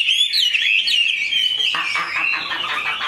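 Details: Caged Chinese hwamei with a large build, pouring out a rich, rapid whistled song of looping, warbling notes that sweep up and down without pause.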